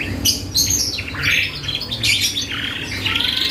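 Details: Canary song played to coax other birds into responding: short bright chirps and buzzy rising notes in close succession, with a thin whistle near the end and a low hum beneath.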